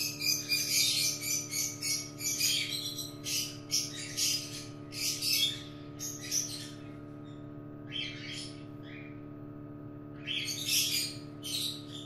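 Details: Cockatiel sounds during a chick's difficult hatching from the egg in a nest, August 2018: a fast run of hoarse, noisy chirps, about four per second, then scattered bursts after a short pause, with a steady hum behind.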